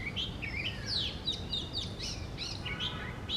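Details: An Oriental magpie-robin sings on a tree in the morning, a varied run of clear whistles, slurred upsweeps and quick chirps at a lively pace, over a low background rumble.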